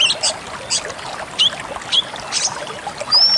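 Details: Pied bushchat song meant for training songbirds: sparse short whistled chirps between splashy noise bursts, ending on a long, high, thin whistle.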